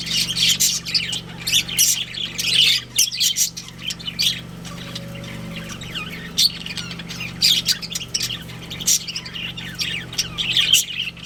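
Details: Budgerigar breeding pair kept at home, chirping busily with rapid scratchy twitters and frequent short harsh squawks, a brief lull midway, and a faint steady low hum in the background.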